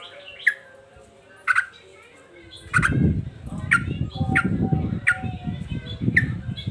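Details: Agitated male sooty-headed bulbul singing: short, sharp chirped notes repeated roughly every half to one second. A dense low rumbling noise comes in after a few seconds.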